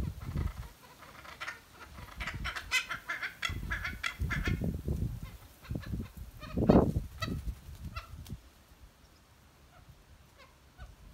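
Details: Two noisy friarbirds in a holly fuchsia shrub give harsh, raucous, honking cackles in uneven bursts for about eight seconds, then fall quiet, with low rumbling wind or handling noise underneath.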